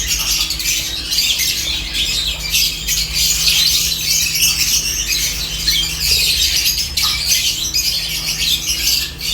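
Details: Flock of 17 lovebirds feeding on corn: overlapping shrill chirps and squeaky chatter form an unbroken, busy chorus, with a constant low background hum.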